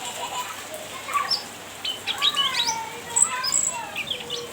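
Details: Cucak ranting in full chattering voice, teasing a rival, used as a lure and tutor bird: short sharp chirps and quick rising and falling whistled notes in bursts, with some thin high squeaks and a soft wing flutter.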